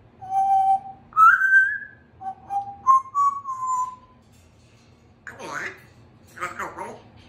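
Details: Pet baby Congo African Grey parrot, female, hatched 15 June 2021, practising words indoors: clear sustained whistled notes stepping up and down in pitch, followed by two hoarse, speech-like bursts after a short silence.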